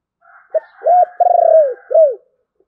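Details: Spotted dove singing thổ bầu style: a short note, a smooth coo, a long pulsing roll sliding downward, then a final arched coo, with a faint background hum.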